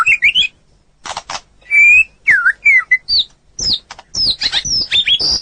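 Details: White-rumped shama singing on a training recording for other birds: loud pure whistles, some rising and some falling, mixed with harsh clicks and quick high twittering notes.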